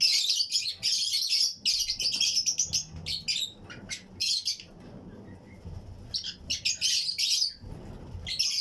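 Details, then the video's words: Fischer's and lutino lovebirds in a colony aviary breeding setup, pairs chirping and singing with other birds nearby: busy, overlapping shrill chirps and raspy high chatter almost throughout, pausing briefly mid-way before resuming loudly. "Fischers & Lutino Colony Chirping Sounds"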